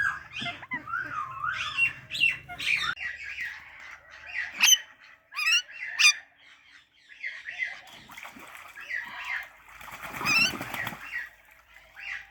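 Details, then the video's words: Parrot chattering with wavering whistled notes, quick trilled chirps and short squawks, irregular and varied over twelve seconds. "Natural Parrot Chirping Sounds"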